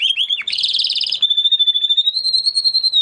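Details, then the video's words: Spanish Timbrado canary singing: a brief wavering whistle, a fast rattling roll, then a long, slightly rising, warbled whistled tone held for nearly two seconds. "Canary Sound Effect - Canary Singing Video"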